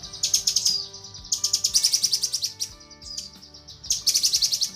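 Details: Cucak kinoi hen calling the male, tutor recording: three rapid, harsh, high chattering phrases, the middle one longest, joined by a short whistled slur, over soft low tones.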